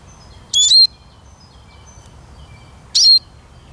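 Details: Eurasian siskin with two short, thin, upward-slurred high notes about two and a half seconds apart, with faint distant bird calls between them.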